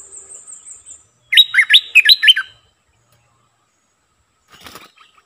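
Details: Streak-eared bulbul kept as a decoy bird, giving a short burst of loud, bubbly notes that sweep quickly up and down, about six in just over a second, after a faint high hiss; a soft rustle follows.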